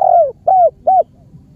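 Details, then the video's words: Spotted dove in Cambodia giving three rounded, hollow coos, the first longest and sliding downward, the next two shorter and arched, spaced under half a second apart over a faint low background hum. "សម្លេងលលកខ្មែរកូក២យំពិរោះណាស់ Amazing Khmer Spotted Dove Sounds2"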